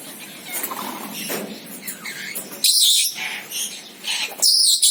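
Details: Senegal parrot with soft chattering notes at first, then loud harsh squawks just before three seconds and again near the end.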